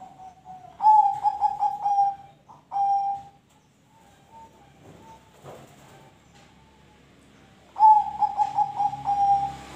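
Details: Zebra dove song meant to get other birds singing: two loud phrases of quick, stuttering coo pulses on a single tone, separated by several seconds of faint coos and small clicks and knocks.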